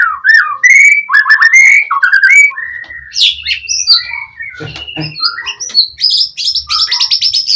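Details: Energetic White-rumped shama song played to goad rival birds into replying: varied clear whistles, slurred rising and falling phrases, then scratchy high notes and sharp chips in a rich, changing sequence.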